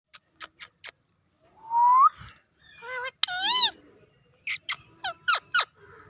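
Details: Urdu-talking parrot face to face, mixing clipped speech-like syllables with a rising whistle and sharp repeated clicks and squawks.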